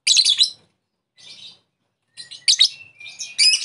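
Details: Lovebird calling out to a rival, used as a lure to provoke another lovebird into its long chattering 'ngekek' call; shrill, harsh chattering bursts, a brief softer burst after a pause, then rapid scratchy notes with a thin sustained whistle near the end.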